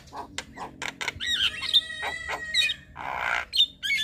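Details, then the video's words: Black-winged starling evening song used to teach young birds: grating, squeaky notes with thin whistled tones and a burst of rasping noise near the end, a low steady hum in the background. "Masteran Jalak Kebo Sore Hari Bikin Burung Jalak Muda Cepat Gacor"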